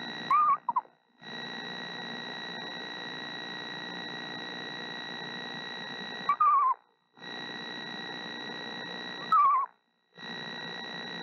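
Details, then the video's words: Incubating mother screech owl sings sweet, soft notes to owlets still in the eggs. Three quavering whistles that trail downward, spaced several seconds apart, with a constant humming background. "Mother Screech Owl Sings To Her Eggs"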